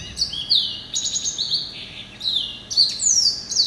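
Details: Pet male hybrid finch, a yellow-eyed canary and Timbrado cross hatched in November 2012, delivers a continuous high song of swooping whistled notes, buzzy trills and sharp chirps in quick, irregular bursts.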